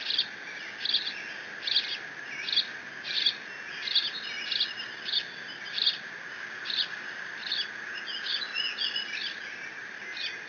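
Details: Bald eagle nestling at Decorah, filmed by nest cam on 30 June 2017, guarding a fish delivered by its father and calling; fast runs of shrill, high squeals that slowly fade and loosen toward the end, over steady hum.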